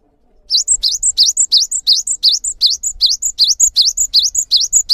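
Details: Cinereous tit in full, lively song, long enough to coax other birds into singing: brisk two-part phrases, a rising swept note then a high thin whistle, repeated about three times a second for over four seconds.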